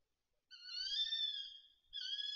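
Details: Tawny owl calling at a feeder in the Bieszczady mountains on 7 September 2023: a single drawn-out, harmonic, slightly wavering screech lasting over a second, with the start of another call at the end, otherwise quiet.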